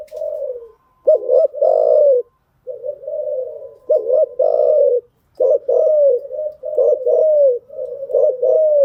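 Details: Spotted dove lure cooing meant to train newly caught birds. Repeated phrases of clipped rising double notes and long mellow coos follow one another with short breaks, steady and unhurried.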